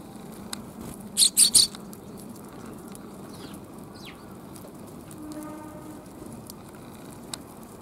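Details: Sparrows in a back alley on 28 January 2022: three loud, sharp chirps in quick succession early on, then a few faint, thin downslurred notes against a quiet low hum.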